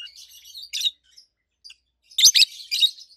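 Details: Two healthy adult rosy-faced lovebirds, red-head green opaline and white-head pallid aqua opaline, with soft twittering that breaks into two loud, harsh, shrill chirps and a trailing buzzy chatter.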